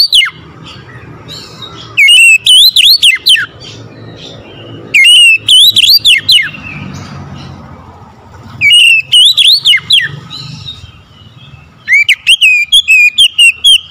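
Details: Morning song of an oriental magpie-robin: four bursts of rich, loud whistles, each a quick string of swooping, wavering notes, spaced roughly every three seconds over a soft low background rumble.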